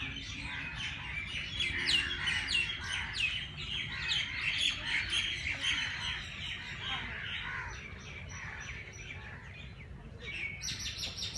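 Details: Many birds chirp early in the morning at Race Course Jilani Park, Lahore, a fast jumble of short high notes that thins out late, ending with a steady high whistle-like sound.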